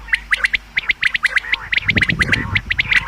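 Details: Common quail calls used for hunting: quick runs of sharp, clipped notes that tumble over each other, with a low rumbling background noise midway.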